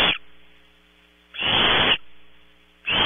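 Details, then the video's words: Barn owl nestlings in California competing for prey at 3 am: loud breathy hissing bursts, one long half-second rasp in the middle flanked by others at the edges, with quiet hum in the pauses. "Competition for and eating of 0300hr prey, #5 looks for scraps - Audubon Starr Ranch Barn Owls"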